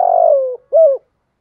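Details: Spotted dove hen decoy calling to provoke males. The tail of a phrase: a long, burry, gently falling low coo followed by one short, clear closing coo, then silence.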